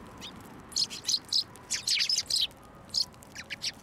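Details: Hand-feeding sparrows at a Tenmangu shrine, 21 December 2023, chatter in quick clusters of strong high chirps, a burst of several notes, a short gap, then more scattered tweets.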